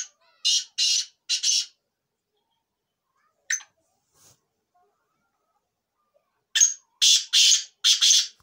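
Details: Black francolin (Kala Teetar) with a three-note harsh grating phrase, a lone sharp note mid-way, then a longer repeated phrase of four to five rasping notes.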